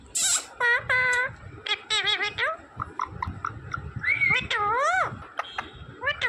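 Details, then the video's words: Green parrot mimicking words with strident, harmonic syllables in short groups and a rising-falling swoop, with soft human speech behind. "smart green Parrot Talking Natural Sounds"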